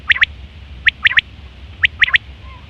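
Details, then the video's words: Quail recorded in September 2023, a call used for hunting and mating. Three short, sharp, rising notes form a quick triplet, and the triplet repeats about once a second, three times in all. A low hum runs underneath. "Quail fresh sound sep 2023/ batair ki awaz"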